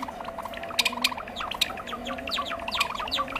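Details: Java sparrow calls used as a trapping lure, a bird of rice paddies and fields: dense overlapping chirps and clicks, bright sharp notes and low repeated chips, as of several birds.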